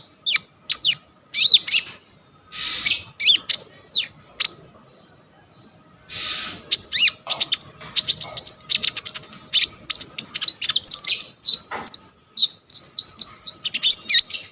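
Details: Coconut lorikeet delivering a long vigorous song on a vivo Y21 phone recording meant for sunbird training: harsh noisy squawks, sharp chirps and fast chattering runs of high notes, with a brief quiet pause midway.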